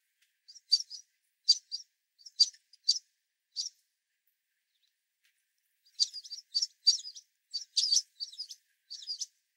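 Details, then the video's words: American Tree Sparrows and White-throated Sparrows competing at a platform feeder during a winter storm, hungry and jumping on each other; high sharp chip notes in short bursts, a sparse run in the first four seconds, then a dense flurry of overlapping calls. "Winter Storm Bird Feeder Frenzy - Sparrows"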